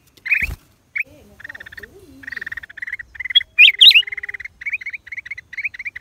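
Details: Black-crested bulbul, recorded April 2023: a loud click, then soft low wavering whistles under rows of fast buzzy chirps, a few sharp high notes, and more upslurred chirps to the end.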